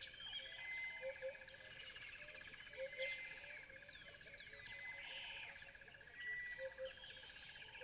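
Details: Sociable weavers in Kgalagadi Transfrontier Park chatter in a busy flock, with overlapping high chirps and short twittering notes over a steady insect-like buzz.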